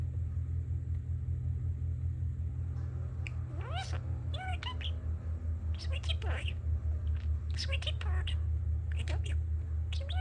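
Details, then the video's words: Male pet budgie chattering while it listens to outside construction: scattered sharp chirps, upward-sweeping squeaks and soft warbled phrases, with a constant low droning hum underneath. "Talking Parakeet"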